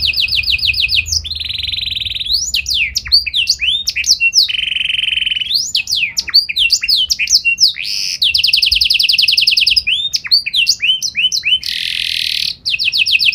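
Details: Chatty, persistently singing canary with special melodic phrases, used to coax other canaries into singing back; a long, varied performance mixing rapid trills, buzzy sustained rolls and swooping whistled slurs, loud and almost without pause.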